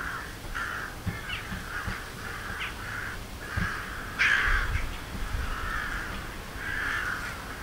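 Daurian Jackdaws give short, harsh, nasal chak calls, several overlapping in quick succession, over a steady low rumble of wind or distant traffic.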